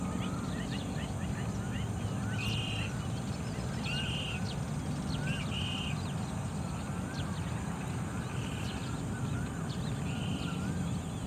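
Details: A Baillon's crake gives its "jui-ru" call on 20 March 2018 in Japan: short, dry, buzzy bursts, one about every second and a half, over a heavy low rumble and faint calls from other birds.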